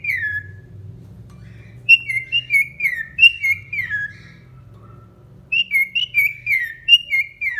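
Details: Pet cockatiel, which talks, whistles a series of clear, downward-slurred notes in quick bursts.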